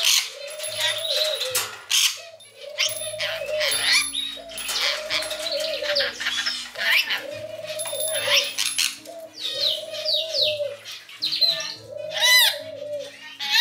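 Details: Pet rainbow lorikeets chatter in busy, shrill screeches and squeaks, mediating a fight and mimicking the owner's pet phrase, with a lower, speech-like phrase repeated about every two seconds beneath.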